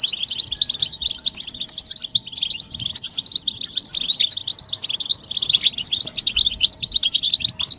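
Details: European goldfinch group twitter, presented as mating and readiness calls that spur males to sing nonstop; a steady, crowded flow of high, jingling chirps and short buzzy rattles throughout.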